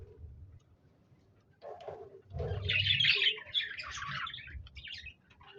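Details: Budgerigars chirping and singing, recorded 26 January 2024: after a quiet start with a few low notes, a loud run of fast, squeaky high warbling and chattering takes over, with a soft flutter of wings.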